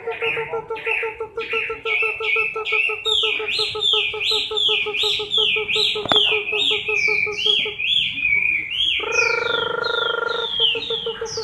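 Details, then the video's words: Chinese hwamei singing while in moult, October 2015, with a long run of rapid looping whistles over a fast low pulsing ticking, a sharp click, then a sustained buzzy drone near the end. "HỌA MI THAY LÔNG"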